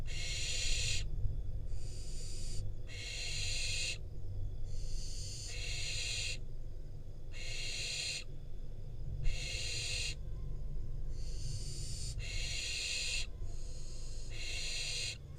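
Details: Barn owl fledgling, wild, in Israel, being brought a rodent by its parents, recorded by a nest cam. Rapid series of about nine rasping hissed screeches, each under a second, closely spaced, some nearly overlapping, above constant low rumble.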